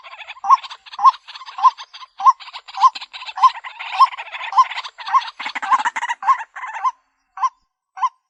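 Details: Lure call of the White-breasted waterhen (Amaurornis phoenicurus): repeated low hooting notes with a brief upward inflection, near two a second, over rough croaking chatter, thinning to isolated hoots at the end.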